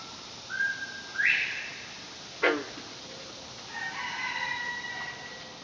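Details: Male northern bobwhite calling from its pen behind trees in the countryside on a morning after overnight rain. A whistled call has a flat first note and a sharply rising second note, followed by a sharp click and rooster crowing.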